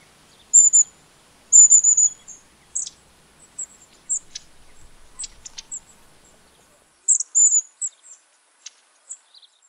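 Long-tailed Tits give thin, very high whistled notes in short bouts, mixed with dry, rippling rattles and scattered tiny ticks.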